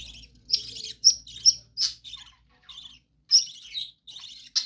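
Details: Pet budgerigars in a bird room deliver buzzy, scratchy warbles broken by sharp high chirps, in uneven bursts with short silences, over a faint low room hum.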